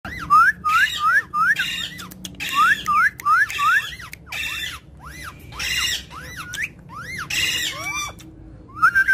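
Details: Indian ringneck parakeet giving a fast series of sharp, upward-sweeping squawky whistles, often paired, repeated many times a second, interspersed with harsher chattering bursts; low steady hum in the background.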